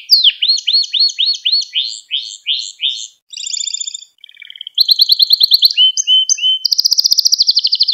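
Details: Gloster canary singing to encourage other canaries: a run of swooping chirps, short buzzy tours, then rapid high trills and flat whistled notes.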